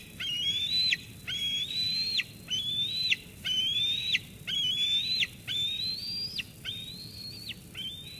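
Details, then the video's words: Eaglet at Sauces Canyon nest on 13 June 2021 squeeing at the adult female that brought food, until she leaves; loud, thin whistled squees that rise and end in a sharp downward drop, about one per second. "Dina squees Mom away, then eats."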